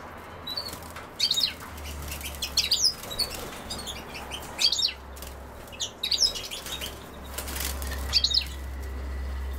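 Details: European goldfinch, apparently at sow thistle, giving short, high, tinkling twitters in bursts every second or two, with fluttering and rustling between them over a low wind rumble.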